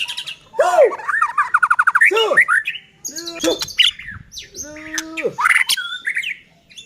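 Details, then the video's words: Lively song of a White-rumped shama, played to get other shamas singing; fast stuttering whistled series, sharp clicks and harsh notes, then deeper arched whistles and a high squeaky flourish. "Murai batu gacor AMPUH buat PANCINGAN murai batu agar bunyi JADIKAN burung murai EMOSI"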